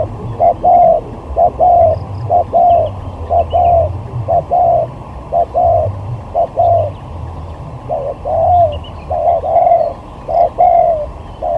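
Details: Spotted dove singing as a lure in a singing competition: low, soft coos repeated roughly once a second in an uneven rhythm, over a steady low rumble of background noise.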